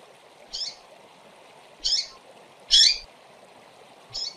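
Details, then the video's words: Female double-collared seedeaters give four separate high, slightly rasping chirps roughly a second apart, the third loudest, against a noisy low hum. "Femeas de Coleiro Piando e Chamando Demais"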